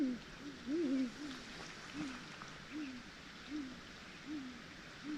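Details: A great grey owl gives territorial hoots at night in late April in deep snow, close by in trees, deep soft hoots one every second or less in a slow, even series over a steady noisy hiss.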